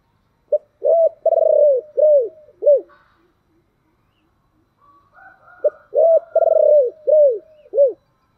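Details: Spotted dove, thổ voice style, giving urging and calling coos: the same low phrase of a short note, a pulsed drawn-out coo and arched notes is delivered twice, split by a pause with faint higher sounds.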